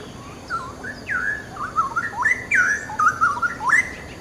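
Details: Straw-headed bulbul (cucak rawa) singing: loud, liquid whistled phrases jumping between low and high notes in quick bubbling runs, with faint background hiss.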